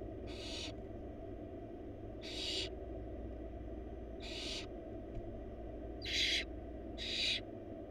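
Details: Four wild barn owl nestlings in a nest box being fed a huge rabbit by their mother: five rasping, snore-like hisses at uneven intervals of one to two seconds over a constant low electrical hum.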